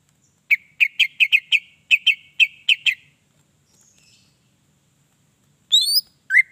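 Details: Greater green leafbird song meant to provoke other leafbirds: a run of about ten sharp, evenly spaced chip-whistles, a pause, then two loud rising-and-falling whistled slurs.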